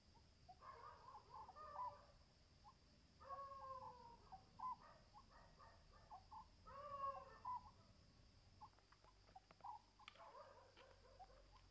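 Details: Oriental scops owl, one of a pair in Pune, India, at night in February 2020, giving three low, croaking, stuttered phrases about three seconds apart over a steady high insect-like hum and faint clicks.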